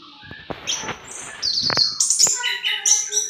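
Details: Orange-headed thrush, punglor merah, kept for kicau song training, singing ngriwik: a run of high whistles and buzzy chatter, interrupted early by several dull clicks or knocks.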